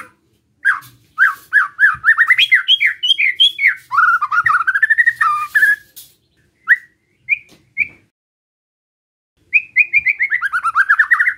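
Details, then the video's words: White-rumped shama in a relaxed besetan song meant to stir up rival shamas, delivering long, fast strings of rising and falling whistles that swoop lower mid-phrase, then a few isolated notes before another rapid run. "Suara Besetan Santai Mancing Emosi Murai Lain | PANCINGAN MURAI BATU"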